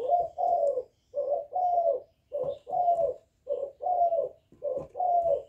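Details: Young spotted dove delivering calling coos with bowing coos to rouse wild doves: a regular chain of low, throaty double coos, each pair about a second apart.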